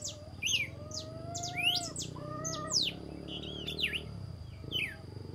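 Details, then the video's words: Red-cowled cardinal at dawn: sharp, high, slurred whistles sweep up and down, while steady low tones and a low rumble continue underneath. "O canto do galo-de-campina ao amanhecer"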